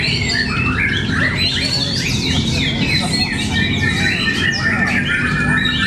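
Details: Contest White-rumped shama at Cibinong delivering a busy, continuous song of sweeping whistles, chattering slurs and high sharp notes, crowded and overlapping, with low venue noise and faint voices beneath.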